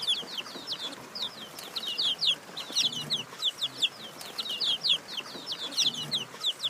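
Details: Domestic chicks chirping in a lively run of shrill, short peeps, closely spaced and uneven, over faint room noise.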